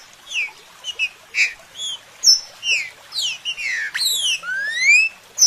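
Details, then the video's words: Green-winged saltator in a natural stimulator recording, singing a busy string of sharp slurred whistles and chirps, some overlapping, ending with long rising and falling sweeping notes. "ESTIMULADOR NATURAL PRA TRINCA FERRO"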